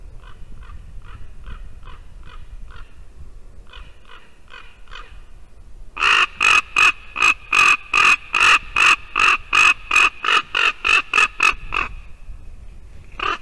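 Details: Ravens visiting a white-tailed eagle nest in Latvia, a female eagle sitting in it, 8:59 AM on 2 December 2019: a faint series of short croaks, then from six seconds loud harsh rapid croaks about three per second, ending in a trailing note.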